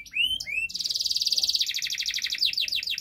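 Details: Canary master song, used to prompt a canary that will not sing: a few rising whistled slurs, then a loud rapid rolling trill that breaks into quick descending chirps.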